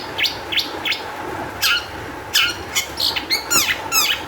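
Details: Long-tailed shrike singing as a lure for other shrikes: separate scratchy chirps, then rapid falling whistled notes that come in quick succession toward the end, against a low background drone.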